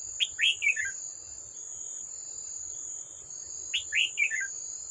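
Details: Old wild red-whiskered bulbul at a trap with a decoy bird, 18 July 2024: two short bright phrases of rising then falling slurred whistles, about three seconds apart, over a steady high insect drone.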